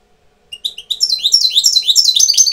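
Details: Tutor European goldfinch coming into breeding condition starts with a few separate chirps, then runs into a rapid, fluid twitter of high liquid trills and slurred notes without a break.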